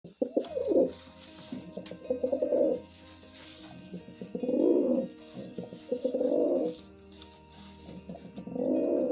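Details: Pigeon cooing during mating: a series of low, rolling coos, each swelling and fading over about a second, repeated roughly every two seconds, over a faint steady background hum.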